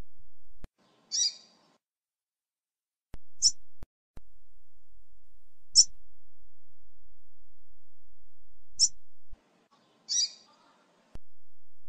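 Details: A female double-collared seedeater, used to warm up or stimulate a male, gives five brief, high, sharp chip notes spaced two to three seconds apart over a steady low background hum.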